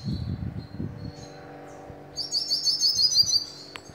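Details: Hooded siskin in Bauru, São Paulo, Brazil, giving a bright, metallic twittering song of fast, high notes in its second half, after a thin whistle and low rumbling noise.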